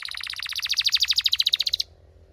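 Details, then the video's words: A Belgian canary delivers a rapid, loud, pulsing trill of evenly repeated notes that rises in volume for nearly two seconds, then stops abruptly, leaving near silence. "This BELGIAN CANARY SINGS BEAUTIFULLY"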